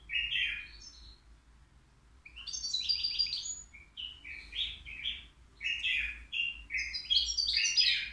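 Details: Flawless-singing goldfinch, three years old and caged, heard at the Al-Qurai'a bird market: an almost continuous stream of bright, jangling twitters and rasping buzzes, growing denser and louder toward the end.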